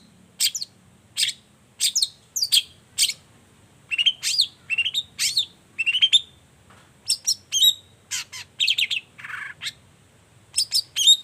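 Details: Long-tailed shrike singing in the morning, a lure to draw replies from quiet shrikes. Varied phrases of rising and falling whistles mixed with harsh chips, steadily repeated with short pauses.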